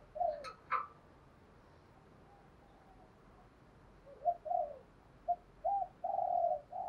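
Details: Spotted dove decoy calling to provoke wild doves, sharp clicking knocks at the start, then a series of short low coos ending in a longer drawn note, over background hiss.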